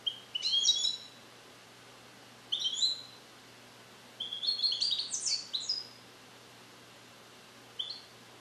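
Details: Captive European goldfinch, hatched in 2021 and taught Neapolitan song passages, sings clear high chirps and a longer rapid twittering phrase, with pauses between bursts and a steady faint hum underneath.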